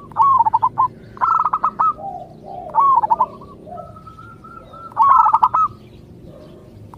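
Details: Singing to make others of its kind answer, a local zebra dove gives repeated phrases of quick cooing notes and rolling trills, about every two seconds, with faint lower coos and a thin steady tone between.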